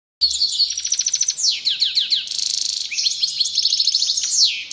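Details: European goldfinch singing excitedly, a rapid run of high twittering trills, buzzy rattles and sharp descending slurred notes, fast and continuous for almost five seconds.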